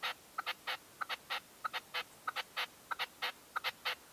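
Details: Red-legged partridge decoy bird calling at dawn during a 2023 hunting session: a steady run of harsh, chuckling double notes, a short clipped note and then a longer grating burst, repeated about every two-thirds of a second.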